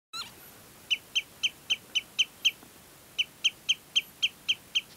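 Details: Snow buntings (Plectrophenax nivalis) at a spring (May) or autumn (October) migratory stopover at Herdla Nature Preserve near Bergen, on the west coast of Norway, giving two quick runs of short, clear call notes, about four per second, over faint hiss.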